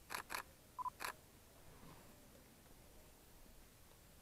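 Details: Four sharp camera-like clicks and a brief double electronic beep in the first second, then only a quiet background hiss with no animal voice.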